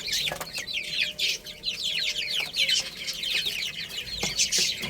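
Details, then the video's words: Chicken chicks chirping while playing and eating; rapid, shrill peeps slide downward in quick succession from many birds, forming a busy, unbroken chorus with small pulsing swells. "Cute Little Chicks Chirping Sounds"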